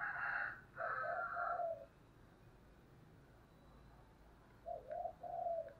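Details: Spotted dove decoy giving its provoking "thúc" call: two loud coo phrases with bright overtones, a quiet gap, then another three-part rolling coo near the end.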